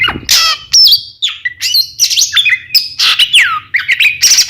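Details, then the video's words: Oriental magpie-robin song from a twin pair, played as a lure to provoke rival birds into answering: a dense, rapid stream of loud clear whistles, sweeping downward slurs and harsh chattering bursts, with a faint low hum beneath. "SUARA BURUNG KACER KEMBAR, bikin lawan EMOSI ikutan nyaut"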